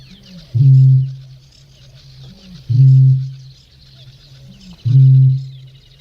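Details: Eurasian bittern in close, clear view sound-wise: three loud, deep resonant booms about two seconds apart, each preceded by a soft rising intake note, over quiet background with faint distant birdsong.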